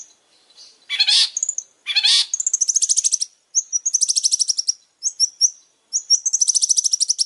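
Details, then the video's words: Long-tailed shrike singing vigorously: two harsh, rasping bursts open the phrase, then a run of rapid, high, buzzy trilled notes broken into short bouts, with brief whistled slurs between them. No other sounds. "Suara burung pentet super gacor"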